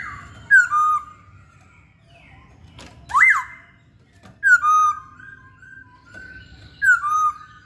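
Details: Masked laughingthrush, called Poksay Hongkong locally, singing actively: loud slurred whistles that drop from high to mid pitch, each closing on a short level note. About four phrases are spaced one to two seconds apart, with a soft rising whistle between them and a quiet room hum.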